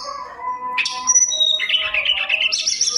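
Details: Lure recording of a mountain tailorbird's rich song: a low droning tone, then a sharp rising note, high whistles and a fast buzzy trill climbing in pitch toward the end.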